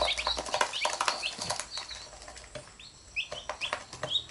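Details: Chicks with their mother hen, who picks them up when they bite her. Scattered high, falling peeps come amid brief wing flapping and soft scuffling, quieter toward the middle.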